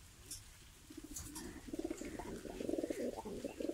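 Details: Mukhi pigeon cooing. The call is a low, pulsing, throaty coo that builds in loudness and rises slightly over the last few seconds, with faint background noise.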